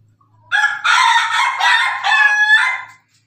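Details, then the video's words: Loud crow of a Pelung cockerel, one sustained harmonic call lasting around two and a half seconds, rising at the start, then running through several slightly stepped sections before fading out cleanly. "su pelung jago suara ayam jago ketawa"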